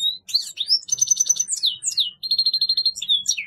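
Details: A grey-headed goldfinch delivers a dense, unbroken burst of song: rising whistles, downslurred notes and fast metallic trills, with a faint low hum beneath.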